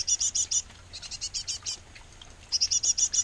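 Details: Great tit nest box, pair feeding nestlings: clear, high, rapid chirps at roughly three to four per second in short runs, a quieter stretch in the middle, then a loud run again.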